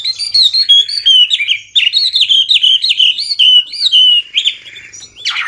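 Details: Hwamei, also called wambi, singing loudly and clearly: a fast string of bright whistled phrases, each swooping up and down, delivered almost without pause, ending in a harsh rasp.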